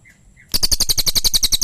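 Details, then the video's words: Pygmy tit (cililin) starting a quick, loud series of sharp, high chattering notes, about ten in one second, after two soft short whistles. "Suara Cililin"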